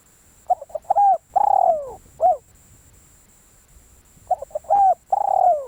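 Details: Decoy spotted dove cooing: stuttered short hoots lead into a steady coo, a long vibrating descending coo and a short closing note. The phrase is repeated after a pause of about two seconds.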